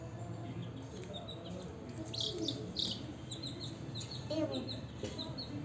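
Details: Newly hatched chicks at home, hunting and eating cockroaches, give thin, high peeping chirps in short bursts, with a person talking quietly nearby.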